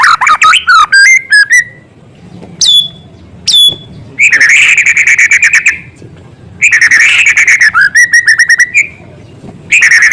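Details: White-rumped shama singing vigorously with imitated small-bird material: quick tumbling whistles, two short high clear notes, then long rattling buzzy trills alternating with pauses and a run of quick repeated chips.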